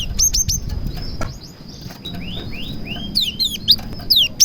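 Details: Song of a cinereous tit mixed with prenjak-style notes, used to lure other tits into song. Quick high whistled chirps and slurred downward sweeps come in rapid succession, with other softer rising notes and a steady whine underneath.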